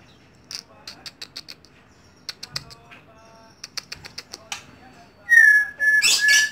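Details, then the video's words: Home-kept white-rumped shama: a run of sharp dry clicking notes in short irregular bursts, then a loud, sustained, clear whistle with bright high overtones near the end. "Bakat Terpendam Murai Rumahan"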